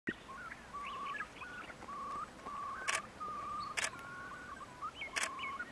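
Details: Far Eastern curlews courting on the Bira river, Central Priamurye, Jewish Autonomous Region, Russia, in early May 2016: drawn-out whistled notes with rising and falling inflections, broken by sharp camera shutter clicks, with a man speaking afterwards.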